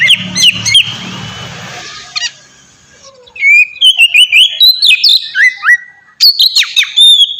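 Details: Oriental magpie-robin song in the ngeplong style, used to prompt other magpie-robins to sing; a rough noisy passage with low rumble opens, then clear whistled phrases with rising and falling slurs and sharp chips follow.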